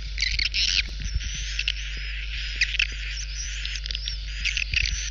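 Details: Swiftlet lure recording meant to draw edible-nest swiftlets to old or new nest houses: continuous high, shrill twittering chatter with scattered sharp chirps over a steady low hum.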